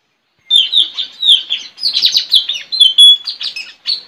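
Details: Straw-headed bulbul used as a caged lure for wild birds, competing in song with a neighbour's bird in a village on 4 April 2021; loud, continuous run of quick high chirps and bright whistles lasting over three seconds.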